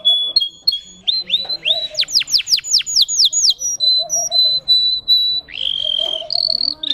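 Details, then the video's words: Russian canary bred for singing, its song built of high tone variations: steady whistled notes, then a rapid run of sharp descending sweeps, followed by held whistles and a bubbling rising phrase, with quiet low murmurs beneath. "The singing of a canary."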